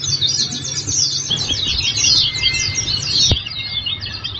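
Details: Oriental white-eye sings a fast, unbroken stream of thin, high twittering notes, with a faint low hum underneath.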